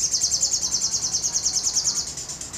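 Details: Sogon in steady sriganti-style shooting song with wings open: a continuous very high, rapid buzzy trill pulsing about seven times a second.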